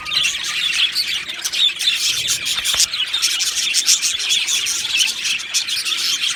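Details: Pair of male budgies from Australia chattering without a break, producing rapid, overlapping high chirps and scratchy warbled notes throughout.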